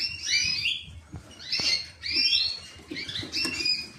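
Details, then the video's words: Singing creamino canary: four bursts of twittering, slurred notes, each roughly half a second long, bright and high with light background rustle. "creamino canary"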